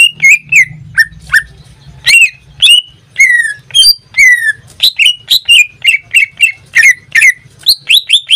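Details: Pet greater green leafbird in a cage sings strong whistled notes, some long descending slurs, then a quick rhythmic series of short repeated whistles toward the end.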